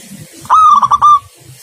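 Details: Local zebra dove in active song delivers a single short rolling phrase of four quick joined coos over faint low background noise.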